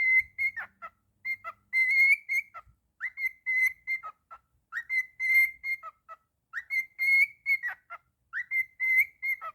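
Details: Cockatiel singing happily: bright whistled phrases, each a short rising note followed by level and slightly wavering whistles, repeated in similar bursts about every one and a half seconds, clean and close with no other sounds.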